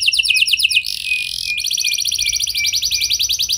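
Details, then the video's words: Canary song played to stimulate other canaries into singing: fast repeated trills of downward-sweeping notes, a brief buzzy harsh burst, then long rapid rolling trills. "Pancingan Ampuh Bikin Kenari Lain Bakal Ikut Gacor Do0r Dengan Pancingan Ini! Langsung Nyaut Ngeroll"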